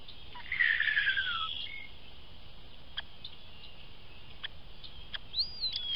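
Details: Unidentified bird perched on a trail camera, heard every morning for about a week: a descending series of thin whistled notes early on, then a later rising-and-falling whistle, over steady background hiss.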